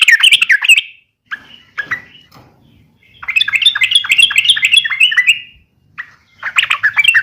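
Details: Yellow-vented bulbul in fighting mode, a call said to provoke rival bulbuls: a short harsh burst, scattered chirps, then a long run of quick repeated chattering notes and a final burst.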